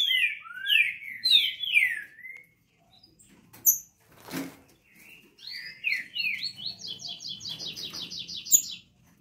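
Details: Green-winged saltator (Saltator similis), described both as a crossbred and as a true trinca-ferro, sings loudly: slurred whistled phrases that rise and fall, then a quick run of bright repeated notes, with one sharp knock midway.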